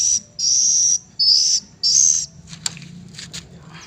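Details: Oriental magpie-robin chick three weeks old: four loud, high, drawn-out whistled notes in quick succession, followed by faint clicks and soft rustling.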